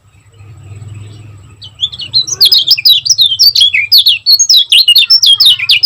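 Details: Lemon-bellied white-eye from Lombok in fast, dense 'gacor speed rapat' song, used as a tutor recording for caged birds: after a low hum, rapid high twittering notes sweep up and down without pause.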